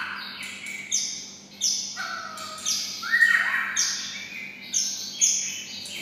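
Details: Kept white-rumped shama singing in red-whiskered bulbul style: repeated short phrases each opening with a sharp high click-like note followed by a falling warble, roughly every second.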